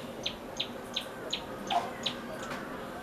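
A common tailorbird repeats a sharp, high chipping note about three times a second, eight times in a row, over a soft hiss of background noise.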